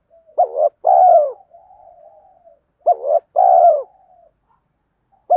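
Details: Spotted dove coo recording meant to draw wild doves to a trap: two phrases, each a short clipped note then a long drawn, mellow coo trailing into a quiet murmur, about two and a half seconds apart.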